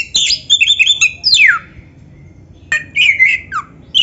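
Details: Black-breasted Oriental magpie-robin singing: a quick run of high chirps ending in a long downward-sliding whistle, a brief silence, then another burst of buzzy, falling notes.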